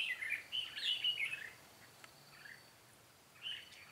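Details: Red-whiskered bulbul used as a trapping decoy, 13 March 2017, singing to lure wild birds. A rich warbled phrase fills the first second and a half, followed by quiet and one brief chirpy note.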